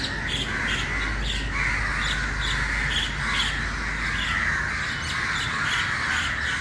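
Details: Crows crowding together early in the morning, hoarse caws and squawks repeated in quick irregular bursts over a steady noisy background.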